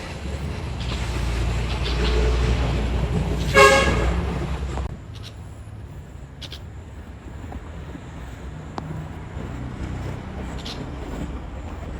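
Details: Passing traffic rumbles, a brief horn toot sounds, then a quieter background hum follows, with no animal calls.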